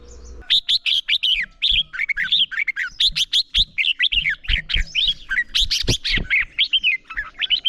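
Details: Red-whiskered bulbul giving morning contest song (hót đấu) used to train a young bird's voice: rapid bright whistled phrases rising and falling, clustered in quick bursts with sharp chips between, some low knocks below.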